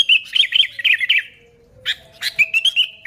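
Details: Sooty-headed bulbul in full voice, recorded as a lure for wild bulbuls: a quick liquid warbling phrase, a pause of about half a second, then sharp notes leading into clear, evenly spaced whistled notes.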